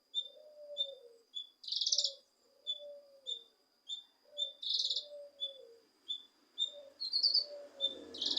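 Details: Cucak kinoi leafbird song, to spur a reluctant kinoi: regular short high whistles with periodic buzzy chattering bursts, alongside lower slurred warbling notes from another voice.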